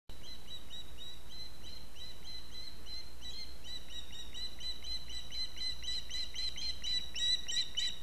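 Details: Osprey on a nest in Latvia, seen on a nest webcam on 6 September 2017 in the afternoon, calling for fish while waiting at the nest: rapid, steady series of thin, whistled chirps repeated about four per second, over low rumbling background noise.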